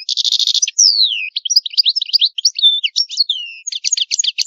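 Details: European goldfinch in the traditional Palermo Sicilian song style, clean and noise-free: a loud buzzy trill, a long falling slur, then varied bright twitters, a level whistle, and closing fast trilled notes.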